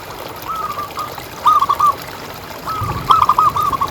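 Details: Local zebra dove, a kept bird, its call used as a lure to get other doves calling: two short bursts of soft rolling, bubbling coos at an even mid pitch, separated by a pause, over a steady low hiss.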